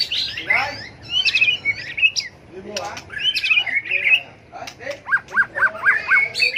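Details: White-rumped shama performing a fighting song for contest training: warbled whistles and sharp clicks, then a closing run of about six evenly repeated chip notes.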